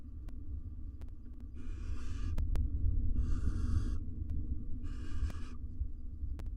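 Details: Male and female wild barn owls courting in a nest box with their four nestlings: three drawn-out hissing screeches in a row, each under a second, over a droning low hum and sharp clicks.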